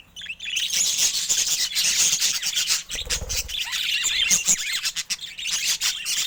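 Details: Vivid budgerigars kept as pets pour out an unbroken, high, buzzy warbling chatter full of rapid chirps, with a faint low thump near the middle.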